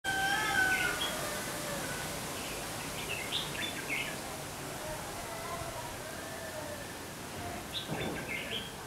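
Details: Red-whiskered bulbul giving fighting song as a decoy for trapping, recorded 17 January: short bursts of bright, warbled chirping notes in two clusters, midway and near the end, over a steady hiss of background noise.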